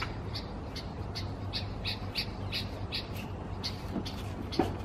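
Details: Angry at its mirror image, a bulbul in Israel (30 August 2016) repeats harsh, clipped notes about three per second, slowing and fading slightly after the midpoint, with one soft tap-like knock near the end and low hum throughout.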